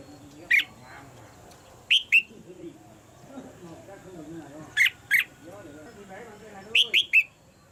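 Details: Female red-whiskered bulbul in a cage, calling to stir the male into louder singing: brief rasping notes in pairs and a closing triplet, spaced a few seconds apart, over faint human voices in the background.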